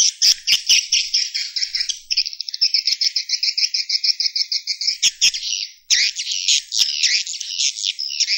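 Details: Swiftlet roosting-call lure: a dense, high twittering chatter of rapid buzzy chirps, pulsing several times a second with short breaks.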